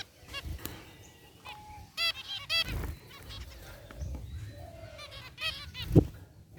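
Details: Zebra finches kept in an aviary, gray and white varieties together, chirping: spaced nasal honks, some in quick pairs, with faint twittering between and a dull knock near the end.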